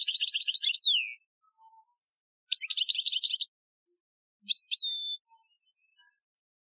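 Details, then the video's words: European goldfinch training song in the Algerian style from 2015: quick buzzy twittering bursts and bright whistled notes separated by short silences. "Chardonneret Chant Algerien 2015 , chant de dressage"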